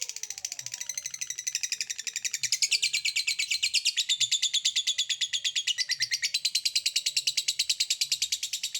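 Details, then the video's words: Lovebird in sustained "ngekek" chattering, meant to make other lovebirds respond: a continuous rapid, buzzy, pulsing trill of about three pulses a second, loud and unbroken for nearly nine seconds, over a faint low hum. "Burung Lovebird Memanggil Di sertai Ngekek, Di Awali ngetik lanjut ngekek"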